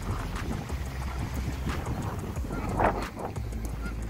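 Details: A gaggle of Canada geese by the Detroit River at Windsor, Ontario, giving scattered harsh honks, the loudest near the end, over a steady low rumble of background noise.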